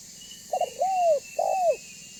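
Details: Banggo spotted dove calling as a lure for other doves: a choppy two-pulse start, a long smooth falling coo, then a second arched coo, over a faint steady high-pitched whine.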